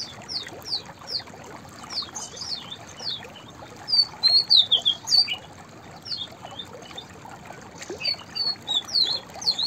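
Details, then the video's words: White-browed fantail singing: loose phrases of clear, high whistled notes, each short and sharply inflected, with a louder cluster of rising and falling whistles around the middle and another near the end; faint steady background hiss. "White Browed Fantail Singing Songs / white-browed fantail vocals / chirping"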